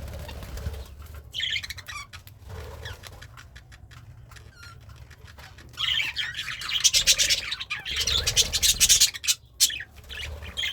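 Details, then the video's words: Pet budgerigar, happy while eating greens: sparse clicks and chirps at first, then a long loud run of fast, buzzy, scratchy warbling chatter in the second half. "The Sounds of a Happy Budgie - Chirping, Singing, and Eating Greens"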